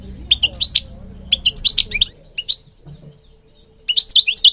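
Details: Singing European goldfinch: quick sparkling twitters and short slurred notes in clusters, a low droning hum beneath the first two seconds, a short lull, then a lively run of rising and falling tinkling notes.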